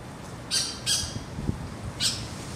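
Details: Yellow Oriole in Boa Vista, Roraima, Brazil, giving three harsh, raspy squawks, two in quick succession and a third after a longer pause, over faint low background rumble.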